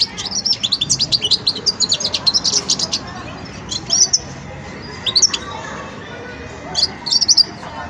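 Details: European goldfinch youngster still forming its song: a rapid opening string of high, jingling twitters, followed by sparse, isolated chirps and short tinkling phrases spaced a second or more apart.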